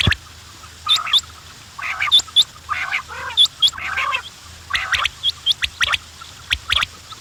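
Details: Quails produce grating, nasal bursts mixed with short high piping notes, loosely spaced and irregular, suggesting a group of birds close together; a steady low hum runs throughout.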